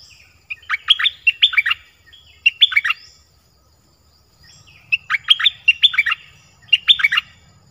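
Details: Dok taeng bird delivering many song phrases in its original voice: repeated short runs of crisp, chirping, warbled notes in two clusters, with a soft low rumble in the background.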